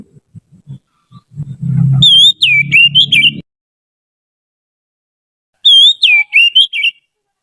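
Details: Oriental magpie-robin, a trained tutor bird, delivers two clear whistled phrases several seconds apart. Each has a wavering opening note, then quick falling and rising slurs. Low knocking comes before the first phrase.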